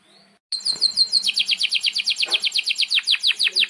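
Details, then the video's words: A vigorously singing canary in breeding excitement, recorded as a song model for young birds, bursts in with a very rapid trill that loosens into stuttering, descending chirps. "Kenari GACOR PANJANG INI Cocok untuk Masteran KENARI PAUD dan Kenari Macet BUNYI"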